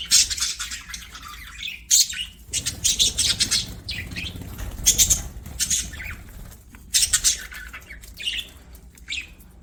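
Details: Playing budgerigars chatter and sing in bursts of high, buzzy warbling and chirps, with brief breaks and soft fluttering between phrases.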